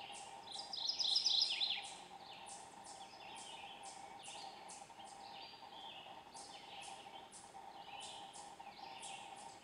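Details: Mourning warbler singing at first light in low light in eastern hardwood forest, Argonne Experimental Forest, northern Wisconsin, recorded on a Nikon D7000 through a fieldscope: one brief loud burst of rolling notes, then steady repeated high thin sweeps and a constant low hum.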